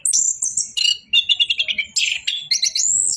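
Orange-headed thrush in loud, varied song: high sweet whistles, a quick run of about eight rattling notes, then bright rising phrases.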